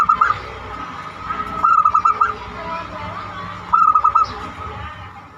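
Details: Zebra dove singing in the banyumili style, used as a lure to set other birds singing: short bursts of quick, staccato cooing notes, two bursts a few seconds apart, over a steady background hum.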